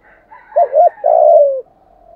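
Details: Spotted dove singing in the 'giọng thổ' style to call wild rivals in for a fight: a soft lead-in, two short wavering notes, then a drawn-out coo sliding gently downward.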